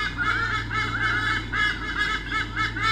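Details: Two white-bellied sea eagles, male and female, defend territory against swooping currawongs at Sydney Olympic Park, Australia, 2013, nest camera: rhythmic goose-like honks grouped in short pulsing bursts about every half second.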